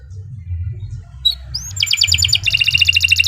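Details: Canary song after a quiet start: a few sharp notes, then a rising whistle leading into fast repeated chip trills, with low background rumble.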